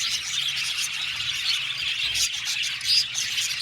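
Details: Aviary colony of around seventy budgerigar pairs, many birds chattering at once in high, scratchy chirps, with one clearer short whistled note standing out near the end of the unbroken din.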